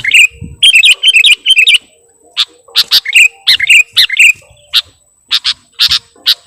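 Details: Bird-luring recording of a sooty-headed bulbul: a tight cluster of twisting, sliding chirps, a short pause, then more slurred phrases and widely spaced sharp single chirps.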